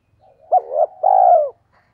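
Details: One full phrase from a spotted dove used as a lure for wild doves: a sharp short coo, a rising slurred note, then a long steady coo that drops at the end.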